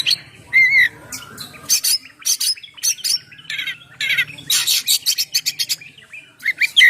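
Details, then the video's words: Oriental magpie-robin song for luring birds and prompting them to sing: scattered loud harsh bursts and raspy chatter, with a few short whistled slurs between gaps and a faint low hum at times. "suara Kacer ngeplong"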